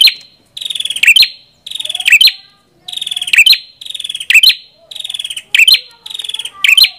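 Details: A Prenjak kepala merah sings steadily: about eight strong phrases, each a rattling buzz followed by loud, piercing notes, coming roughly every 0.8 seconds. Faint thin whistles sound softly in the background.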